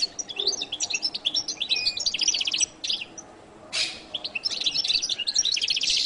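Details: Goldfinch song of rapid, high twittering phrases and fast rattling trills, broken by a short pause and a sudden noisy burst.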